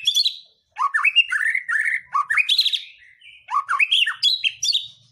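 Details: White-rumped shama song used to provoke other birds into singing: loud varied phrases of rich whistles and sharp chirps, sweeping between low and high notes, with a short pause near the start.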